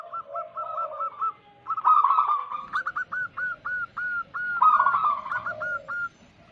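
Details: Wild local zebra doves singing as a lure for wild doves: a string of quick coos, then a dense stuttering burst, followed by slower, separate hooked notes repeated about twice a second.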